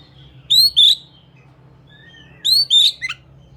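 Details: Oriental magpie-robin, Indonesian kacer, giving two loud paired rising whistles with a buzzy edge, the second pair trailing into a quick descending flick, soft hum behind.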